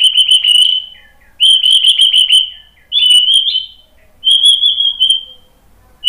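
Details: High white-rumped shama phrases used to provoke other birds: four long, even whistles with a fine trilled texture, each lasting about a second, separated by short silences.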